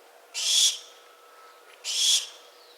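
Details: Two drawn-out, scratchy hisses from a barn owl, the second following about 1.5 seconds after the first, against near silence.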